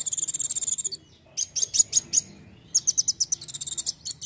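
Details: Kolibri wulung sunbird chattering in 'nembak' fashion: fast trains of very high, sharp, buzzy notes, a short pause, then more rapid bursts, on a quiet background.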